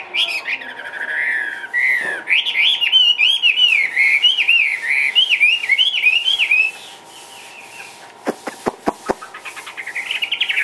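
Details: Chinese hwamei kept in a cage in Vietnam, singing a long string of loud looping whistles that bend up and down in quick succession, then a pause with a few sharp clicks before whistling resumes; a low steady hum throughout.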